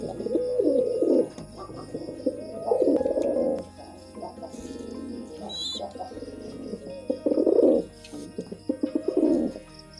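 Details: Pigeons cooing during mating, bursts of rolling throaty coos at the start, middle and end, a brief high chirp from another bird near five seconds, over low hum.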